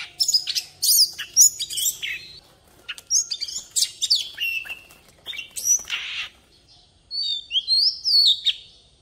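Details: Oriental magpie-robin decoy bird singing in wild-style voice (giọng rừng): bursts of sharp whistled and chattering phrases, some sweeping down, separated by short pauses, ending with a higher run of slurred notes.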